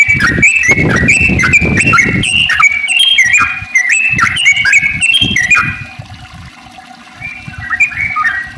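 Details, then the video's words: Sooty-headed bulbul with long rolling song, played to set other bulbuls singing; fast series of bubbly warbled whistles, with loud low thumping noise in the first seconds, then fading. "trucukan gacor ropel panjang buat pancingan trucuk agar bunyi"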